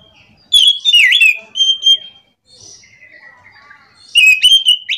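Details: Morning song of an orange-headed thrush in the ngerol rolling style. Loud, quick slurred whistles and twisting notes come in two bouts, with soft scratchy chatter in the pause between them.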